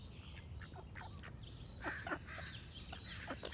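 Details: Duck giving a few rasping quacks, loudest as a quick double note midway, amid a busy chorus of high whistled and chirping songbird calls and a constant low background hum.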